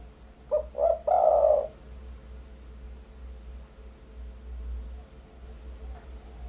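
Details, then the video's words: Spotted dove coo for attracting birds: one phrase of two short notes and a longer held coo at the start, followed by several seconds of low background hum. "Suara burung pikat derkuku"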